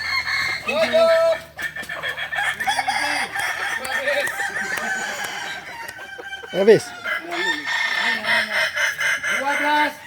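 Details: Many balenggek roosters crowing at a practice contest in Ampang Kualo, Solok, Indonesia; repeated short arched crow syllables overlap and stack, one bird giving a sharp high note midway, a man counting numbers aloud.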